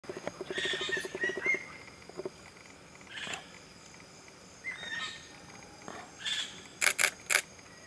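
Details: A common green magpie at Satchori National Park, Bangladesh, gives a burst of harsh, buzzy chattering notes, then sharp scattered clicks and a quick triple of loud, abrupt calls near the end.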